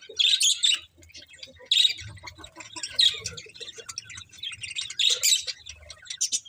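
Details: Several pet budgies chirping: loud bursts of scratchy, high chatter come in clusters about every one to two seconds, with softer twittering between them.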